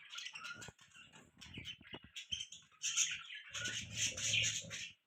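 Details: Budgies chirp in quick twittering bursts and scratchy warbled phrases that grow louder and denser toward the end, over soft low thumps and rustling.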